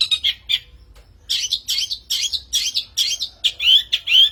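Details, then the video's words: Long-tailed shrike song played to lure shrikes: a few scratchy notes, a second of silence, then a dense run of harsh chattering syllables ending in sharper rising, whistled notes. "PANCINGAN MASTERAN PIKAT BURUNG CENDET"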